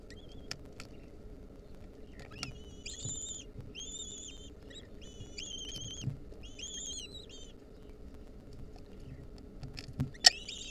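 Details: Lesser kestrel chicks, wild, calling as the female brings a mouse to the nest; a run of short high squealing notes repeated about twice a second, each slightly arched, with scattered clicks and steady low hum.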